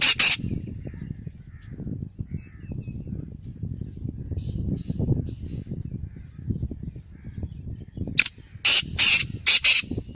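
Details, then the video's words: In Khairpur Mir's, Sindh, a black francolin (kala tetar) ends a long stretch of low rumbling background with its grating call, a short lead note and four loud, harsh buzzy notes; the tail of an earlier phrase opens the recording. "Kala teter | black francolin"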